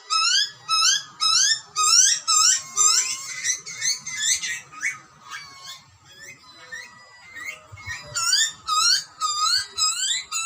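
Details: Wild Australian butcherbird nestling begging loudly while fed by its parents, giving rapid harsh screeching notes nearly two per second, a quieter pause mid-way, then renewed urgent screams.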